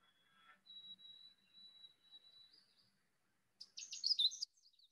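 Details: Canada Warbler, a steeply declining species found in the mountains, sings a quick opening chip and then a jumbled burst of bright, high notes; a White-throated Sparrow gives a long, pure, steady whistle in the background.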